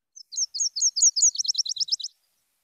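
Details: A Nashville Warbler, a spring migrant to the Seattle area, sings its two-part song. It gives about five slower, sweet "cheaper" phrases, then a quicker, lower-pitched trill, with no other sounds.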